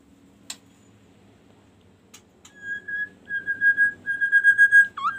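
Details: Kaso kaso bird with a varied song used to get other birds singing: a steady level whistled note pulsing rapidly for two seconds after a few faint clicks, ending in a short upward slur.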